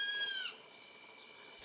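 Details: A Striped Owl, known for diverse calls of tropical rainforests from southern Mexico to Argentina, gives one harsh, high screech lasting half a second and sliding slightly downward, then a faint ringing tail and a brief click at the end.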